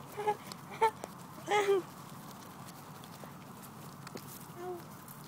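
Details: Hungry Canada goose giving three short harmonic honks in quick succession within the first two seconds, the third longer and sliding downward, then a softer call near the end over a steady background hiss.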